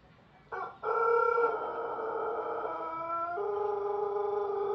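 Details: Pelung rooster, a long-crowing poultry breed from Cianjur regency, West Java, Indonesia, gives one drawn-out crow lasting over four seconds. It is rich and harmonic, holds steady, then drops to a lower sustained tone near the end.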